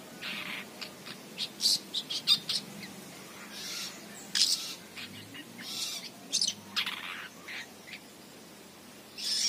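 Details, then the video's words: Long-tailed shrike youngster singing busily outside its cage: rapid harsh, grating notes and sharp chirps in uneven bursts, loudest early on, with pauses between phrases and a soft background hum. "Anakan Cendet Konslet Gacor Di Luar Sangkar"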